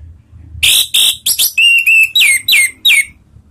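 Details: Orange-headed thrush (anis merah) lure song in the ngeriwik style, used to set other thrushes singing: loud, clear whistled notes, first harsh and buzzy, then a run of pure slurred whistles, several falling sharply, about three a second.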